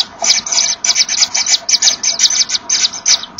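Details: Common Kingfishers at their nest with chicks, 24 August 2013. The female brings a small fish, and the pair blow at each other, seemingly to find one another. Short breathy hisses repeat about three times a second.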